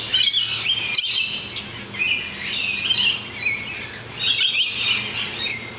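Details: A flock of wild lorikeets outside a balcony keeps up a constant shrill, screechy chatter of overlapping high buzzy squeals and chirps with no pause.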